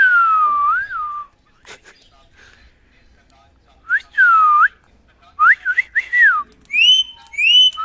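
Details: Pet ring-necked parakeet, a male, whistling while chatting and socializing. Long sliding whistles with a looping wiggle are followed by quick rising and falling whistled notes. It ends with bright, clear upslurred whistles.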